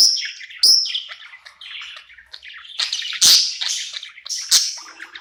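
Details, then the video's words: Budgerigar at night, happy in a new home, singing and chirping: a run of scratchy, warbling chatter broken by sharp high chirps near the start, middle and end. "Cute budgie night happy in new home singing and chirping sounds"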